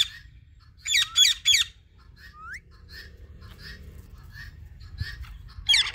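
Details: Indian ringneck parakeet said to be talking: three loud harmonic squawks in quick succession, a short rising whistle, then a run of soft, faint chirps, ending in one more sharp squawk.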